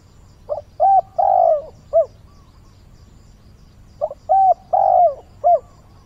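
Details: Decoy spotted dove cooing at dawn to lure wild birds: two low, mellow cooing phrases, each a short note, two fuller hoots and a clipped final coo, separated by a pause of about two seconds, over quiet background.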